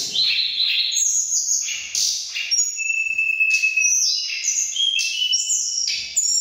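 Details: Mountain tledekan birds in Cilongo, Indonesia, agitated on meeting and competing in strength and quality of voice: dense overlapping high whistled phrases, pure sliding notes and sharp chirps in rapid succession with no pauses.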